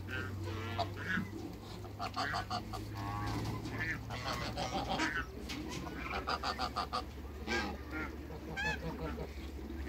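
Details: A pair of African geese in a backyard with other waterbirds; harsh harmonic honks come in scattered bursts over a steady low hum and rustling background.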